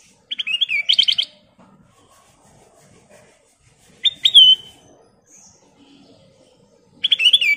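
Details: Sooty-headed bulbul (Pycnonotus aurigaster) singing actively: three short bursts of bright, bubbly whistled notes, spaced about three seconds apart, with near silence between them.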